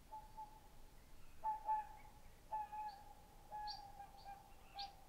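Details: Whooper swans give short bugling trumpet notes every second or so over a steady droning background tone, recorded 22 May 2020 after sunset on an island in Lake Puula, Finland, alongside displaying black grouse.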